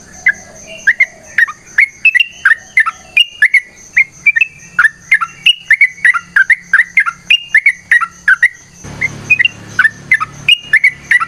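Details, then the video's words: Yellow-vented bulbul in full fighting song with long rapid-fire runs, used as a prompt to get other bulbuls singing and answering: a fast series of short bright chirped notes, about two a second, steady throughout, with a rough noise burst in the last few seconds. "TRUCUKAN GACOR TARUNG ROPEL PANJANG Pancingan trucukan Agar Bunyi Jadikan Burung Trucuk Gacor Nyaut"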